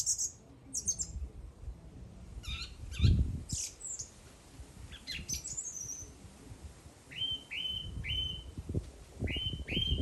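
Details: A singing bird gives scattered high chirps and slurred notes, then a steady series of short upslurred whistles repeated about once a second, over a low rumble.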